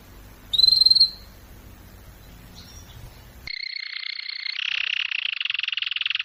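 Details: Canary singing during training: a clear whistled note, quiet gap, then a steady buzzy trill that shifts to a lower, rapid rolling tour.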